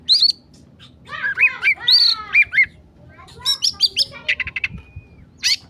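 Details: An oriental magpie-robin in an agitated mood, kept as a tutor singer, pours out rich whistled phrases with slurred rising and falling notes, then rapid high chattering trills and a final sharp note.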